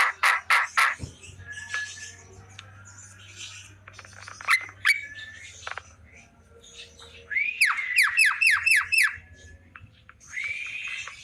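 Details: Afternoon song of a Javan myna, varied and mimic-like: harsh squawks, short whistles and clicks, then a rapid burst of about seven sharply rising squeaky notes, with a faint low hum beneath.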